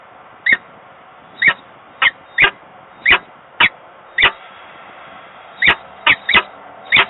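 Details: Peregrine falcons at a nest box in Włocławek, Poland, on 15 November 2022, one perched on the grille and one inside the box; sharp, short chipping calls repeat at irregular intervals over a steady background hum.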